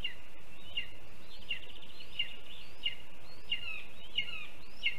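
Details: Lesser spotted eagle chick at a Latvian nest on a live camera, 7 July 2022, begging for the mole its father brought while awaiting its mother; faint high piping notes repeated about every three-quarters of a second above steady noise.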